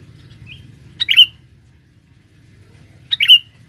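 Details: Lure male sooty-headed bulbul in forest: a soft note, then two loud, sharp chirped calls about two seconds apart, each a quick burst ending in a clear whistle.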